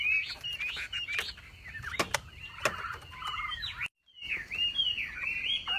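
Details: Masteran song of a Javan pied starling (wambi) delivering 'tembakan' bursts: a tangle of rising and falling whistles, squeaks and sharp snapping clicks, with one brief gap of silence.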